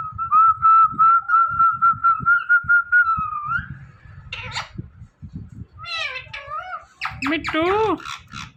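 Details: Indoor talking parrot: a steady, slightly trembling whistle held for about three seconds, then several throaty speech-like "Mithu" imitations with swooping pitch and a final rising squawk.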